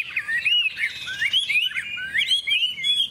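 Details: Hwamei, a bright golden, big-tailed bird flicking its wings during a singing contest, gives sweet slurred whistles that rise and fall in smooth loops, in short phrases with small gaps between.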